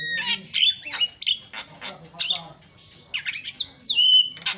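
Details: Javan myna song meant to stir other mynas' aggression: a jumble of harsh chatters, squeaks and buzzy notes, ending in a long downward-sliding whistle.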